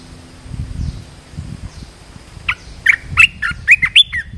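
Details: Decoy red-whiskered bulbul luring a wild bird. A quick run of sharp chirping, warbled notes arrives in the second half after soft low rumbling background noise, the notes repeated several times per second.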